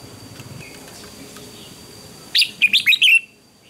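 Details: Morning contest singing from a red-whiskered bulbul for training and rousing a wild-caught bird: two seconds of low background noise and faint chirps, then a loud quick phrase of five warbled whistled notes slurring down.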